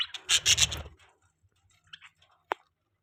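Budgerigars give a burst of harsh, scratchy chatter, then a few soft squeaky notes and one sharp, high chirp near the end.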